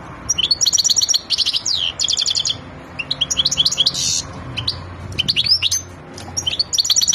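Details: European goldfinch, said to be aroused and ready for mating, delivering high tinkling twitters and rapid trilled bursts with slurred rising notes, separated by brief gaps, with a low background hum.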